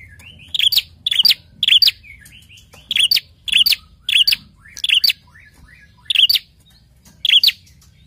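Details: Prinia calling: loud, harsh chirping bursts, often in quick pairs or triplets, repeated several times with short gaps, with a few thin, soft chips in between. The background is quiet.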